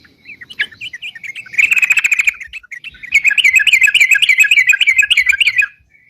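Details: Sooty-headed bulbul, ropalan gacor song for luring birds: soft scattered notes build into a fast buzzy trill, then a long steady stream of wavering chirps ending abruptly.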